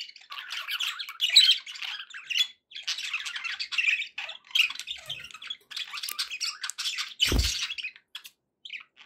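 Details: Pet budgerigars chattering indoors: a busy warble of squawks, chirps and scratchy notes in bursts with short pauses, and one sharp broadband click or knock near the end.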